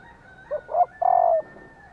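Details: Female spotted dove calling, a sound used to prompt male doves to coo in reply: three low, hollow coo notes, two short ones then a longer, drawn-out coo, in a quiet setting.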